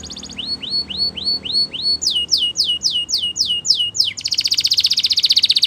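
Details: Singing Belgian canary, used for training young canaries. Repeated upslurred whistles, then a series of descending sweeps, ending in a loud dense buzzing trill.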